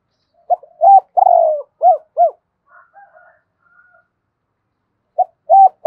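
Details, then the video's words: A spotted dove repeats its cooing phrase, used to rouse decoy birds: brief note, arched coo, long buzzy falling coo, two arched coos, then faint soft notes and another phrase starting. "tieng cu gay kich boi nhanh noi นกเขาใหญ่"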